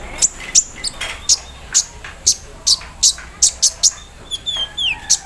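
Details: Morning song of an olive-backed sunbird kept out for dewing, with embroidery-machine imitation: regular high ticks roughly every third of a second, then thin falling whistles at the end.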